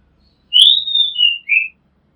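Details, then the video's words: A single loud whistled phrase from an Oriental magpie-robin, recorded from a home rooftop: a sharp upward note, a long level high whistle, then two lower slurred notes, against near silence. "Oriental Magpie Robin Sound Long play | เสียงร้องนกกางเขนบ้าน"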